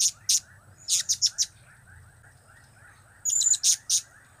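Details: Blue-crowned hanging parrot giving its cap, kiak and crap call types: bursts of very high, thin, squeaky chirps, single notes then rapid runs of three or four, with gaps between, over a faint steady background hum.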